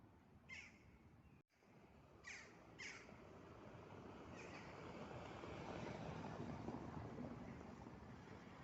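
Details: Crows near apartment buildings, four short, hoarse caws in the first five seconds, two of them close together, over steady broad urban background noise.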